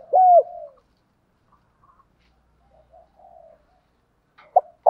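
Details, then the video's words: Spotted dove cooing to stimulate a decoy bird to fight: one loud, low, mellow phrase with a throaty opening note and a falling hoo near the start, then soft distant cooing, and another phrase beginning at the end. "tiếng gáy gọi và thúc đấu rút bổi gây ức chế"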